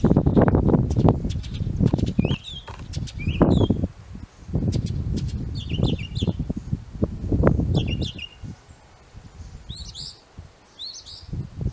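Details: Northern mockingbird in song in an apple tree: high, sharp chirped phrases scattered over several seconds, varied in shape, nearly buried at times under loud low rustling and thumping.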